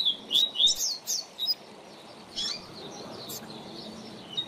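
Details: Double-collared seedeater, a teacher bird used for young birds to learn from, gives a short burst of high warbled, sliding notes in the first second and a half, then mostly quiet with faint background hiss.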